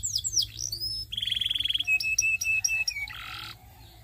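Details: Belgian singing canary in song: high sweeping whistled notes, then a rapid buzzy trill, a string of sharp repeated chips and a dense rattling roll near the end, all bright and high-pitched with a faint low hum underneath.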